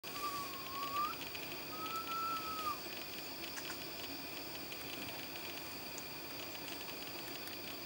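A Sulawesi pitta gives two drawn-out, mournful whistles, the first dipping then rising, the second level then falling, over a steady insect drone.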